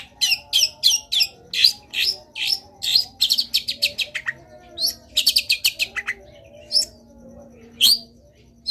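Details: Long-tailed shrike in lively full-fill song: rapid bursts of harsh, high chattering notes packed in quick runs, broken by short pauses and single sharp slurred notes, with a faint steady low hum behind.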